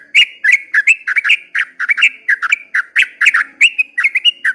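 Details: Ropel panjang song of a yellow-vented bulbul at dawn: loud, rich warbled whistles poured out in a fast, unbroken stream, notes swooping down then up in quick pairs and triplets.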